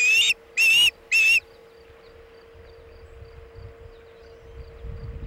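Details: Osprey calling at a Chesapeake nest in the afternoon of 27 August 2019, as a bluefish tail is brought in. Three sharp, whistled notes open the recording, then quiet rustling under a constant hum.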